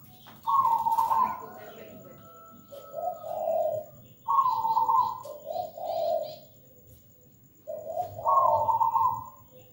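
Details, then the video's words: Local zebra dove (perkutut) singing a repeated phrase about every four seconds: a bright rolling coo followed by a lower, softer drawn-out coo. "PERKUTUT GACOR MERDU MEWAH"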